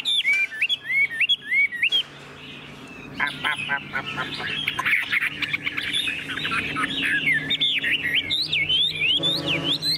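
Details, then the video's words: Tame caged Chinese hwamei: crisp whistled phrases, then a dense jumbled stretch of overlapping notes with background noise, ending in loud looping whistles. "Họa mi đẳng cấp, chim thuần, hót như 1 cái máy"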